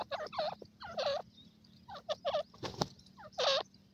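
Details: Indian francolin, or teetar, giving rapid grating calls in clustered bursts. Several hoarse, curved notes come in quick runs, with short gaps between groups and a sharp click near the middle.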